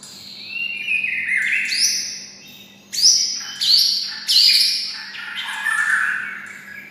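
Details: White-rumped shama kept close to red-whiskered bulbuls and copying their voice; varied whistled phrases that jump between high and middle pitches, four or five loud bursts with short pauses between them.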